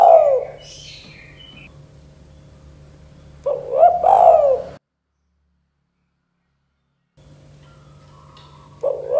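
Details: Spotted dove (tekukur, derkuku), in a steady calling style listed as 'KUK 2 gacor dor', played to get young doves calling. Loud, rounded coo phrases open the clip and recur near the fourth second, with a silent gap and faint high chirps.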